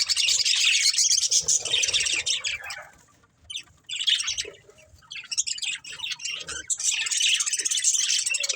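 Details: Pet budgies chirping as they play and eat: long runs of busy high warbling chatter broken by a brief near-silent pause, then resuming in scattered squeaky bursts.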